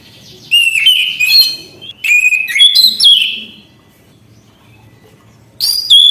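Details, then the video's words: Nonstop song of an Orange-headed thrush: rich whistled phrases with slurred rises and falls, a silent gap of about two seconds, then a sharp new phrase begins. "Anis kembang gacor anti macet bunyi"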